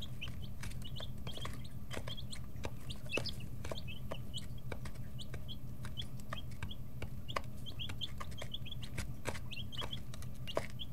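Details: Brooder full of chicks aged 11 to 13 days, noisy while pecking and stretching as wing and tail feathers grow; many short high peeps, often falling in pitch, come several per second over a constant low droning hum.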